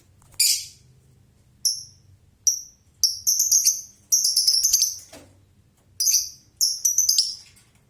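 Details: Lovebird giving ngekek chatter: sharp, very high shrill bursts, some single and some strung into long rapid runs.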